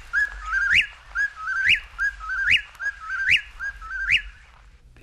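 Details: Eastern Whip-poor-will, from a 1961 audio field guide to eastern and central North American birds, repeats its loud whistled three-part phrase ending in a sharp upward whip, about every 0.85 seconds, six times.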